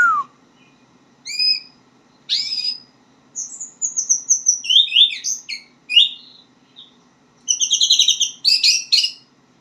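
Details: White-rumped shama practising its song: spaced whistled notes, sliding high whistles, then a run of rapid chattering and buzzy trilled phrases, varied and halting as a learner's song.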